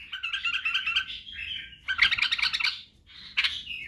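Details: White-eared bulbul, locally called badrawi, singing in a recording meant to teach young bulbuls to sing, including the barwaz style and wing-flicking. Rich, bubbling warbled phrases: a long chattering run, a dense loud burst mid-clip, then a short bright phrase, in a quiet room.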